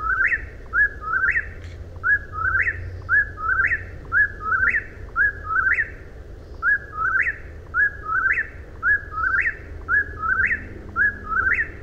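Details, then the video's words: Long run of eastern whip-poor-will song, about a dozen whistled three-part phrases with a sharp rising finish, repeated steadily near once a second over a low continuous hum. "Deep Relaxation with Whippoorwills"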